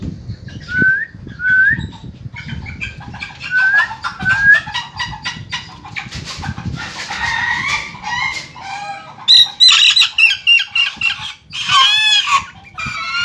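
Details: Black chick calling: a few soft rising peeps, then long runs of rapid, harsh chuckling notes, later clearer high whistled notes and broken bursts, with low rumbling background noise.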